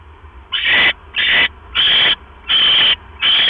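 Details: Owl at the nest near midnight on 5 October 2015 as the male brings a rat and the female quickly eats it before settling back on her eggs; five harsh, hissing screech bursts, each about half a second, with short quiet gaps.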